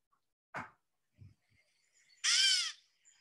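A Gray Catbird gives one nasal, cat-like mew that slurs slightly downward, about half a second long. It follows a brief, harsh chip and faint rustles.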